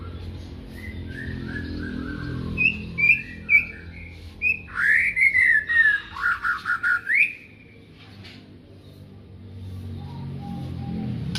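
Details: Magpie-robin in the morning giving a series of soft falling whistles, then a loud run of clear, sharply separated whistled notes and a swooping rising phrase, over steady low background hum.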